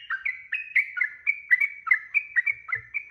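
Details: Sooty-headed bulbul pouring out a long song used to make other birds answer: a dozen or more hurried, mellow notes, slurred and chattering, strung together evenly, with a faint low knock near the end.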